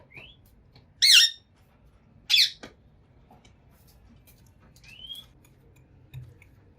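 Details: Green ringneck parrot calling indoors: two loud, harsh, high squawks about a second apart, with thin rising whistles before and after, against a quiet room background.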